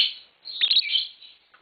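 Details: A tame green Fischer's lovebird kept indoors gives a short burst of high, harsh chirps, then a thin whistle and a rasping twitter.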